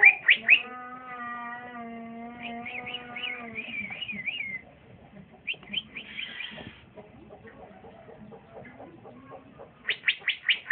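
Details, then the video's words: Young male green leafbird (cucak ijo) in the early singing stage, kept as a caged bird: bursts of rapid high whistled notes and a wavering trill, broken by a steady low humming tone with stacked overtones, then sharp chirps at the end. "c ijo trotolan jantan masih muda udah bunyi mantap"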